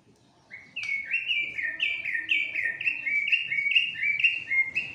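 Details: White-rumped shama, a fighter bird in an agitated state, sings rich whistled phrases that slide up and down and repeat quickly, about two per second, with faint low background rumble.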